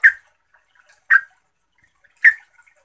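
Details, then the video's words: A yellow-vented bulbul gives three short, bubbly, liquid notes about a second apart with quiet pauses between; the recording is used as a lure to provoke other bulbuls into agitated, energetic singing. "trucuk Lain langsung NGAMUK, EMOSI dan GACOR dengan pancingan trucukan ini"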